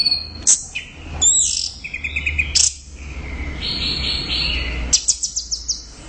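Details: Orange-headed thrush singing a fast, varied phrase of high whistles, stuttering rattled notes and a drawn-out buzzy tone, ending with quick repeated chips, a low hum behind.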